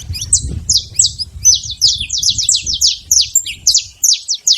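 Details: Saffron finch singing free in the wild: a fast run of sharp, high chirps, each sliding downward, repeated several times a second with short pauses, over a low rumble of background noise.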